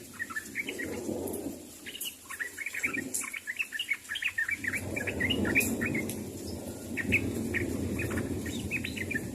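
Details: Calling to other birds, a sooty-headed bulbul gives a long run of quick, bouncy chirps in irregular bursts, with low background rumble rising partway through.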